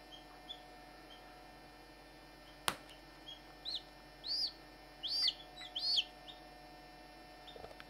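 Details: Barnevelder chicks hatching, one eager to get out: a few faint peeps, a sharp click, then loud arching high peeps repeated roughly every half second over a steady mechanical hum.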